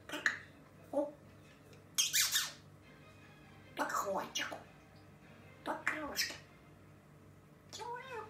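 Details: Grey parrot chattering to itself: a series of voice-like bursts with sweeping, falling tones and squawky syllables spaced every one to two seconds, over a low steady hum.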